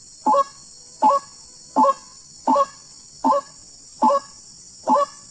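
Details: Seven evenly spaced, rough, nasal croaks from a wild white-breasted waterhen during a bird hunt, each short and gruff, about one every 0.8 seconds. A steady high hiss sits behind them.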